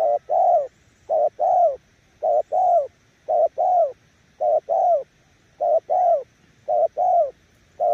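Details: Spotted dove decoy bird, Kon Tum, cooing loudly in nước gù style. Crisp short-long coo pairs repeated regularly, roughly one pair a second, over a quiet background.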